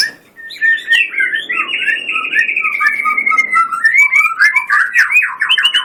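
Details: Energetic white-rumped shama song, an unbroken stream of rich warbled and whistled notes, rapid trills and rolling phrases that rise and fall, with scattered sharp clicks.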